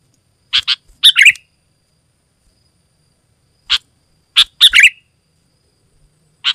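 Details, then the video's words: Sooty-headed bulbul in energetic, dense singing used to lure other bulbuls and tutor caged birds; short bursts of sharp, bright chirped notes in quick pairs and triplets, separated by silent gaps of up to two seconds. "Suara Burung Kutilang Gacor Rapat Menekan Lawan Paling Ampuh untuk Suara Panggilan dan Masteran"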